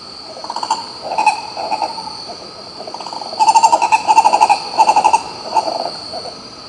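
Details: A Green ibis filmed in Pirenópolis, Goiás, Brazil gives a rolling series of hoarse, mid-pitched notes, starting softly and swelling into a fast stuttering run, over a steady high insect hum.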